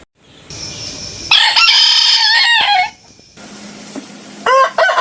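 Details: Domestic cock crowing, part of a set of varied rooster voices: a long bright crow with stepped, broken syllables lasting about one and a half seconds, followed later by two short clipped fragments of crowing.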